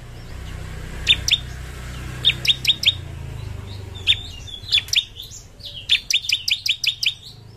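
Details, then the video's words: A Bar-winged prinia, kept as a song-tutor bird prized for its loud, piercing voice, sings bright, sharp chirps in quick bursts of three to six, repeated with short pauses over a soft low hum. "Ciblek mana yang gak ikut bunyi setelah dengar ini?"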